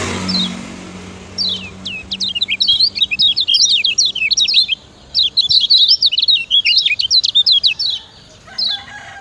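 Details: Lombok kecial kuning (lemon-bellied white-eye) singing as a master for training other birds: two long bouts of rapid, high, sharply zigzagging twitters separated by a short gap, with a faint chirp afterward.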